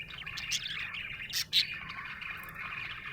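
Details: Happy budgie warbling in a quick run of chirps and scratchy notes, broken by a couple of loud sharp clicks and a short pause before the chatter resumes.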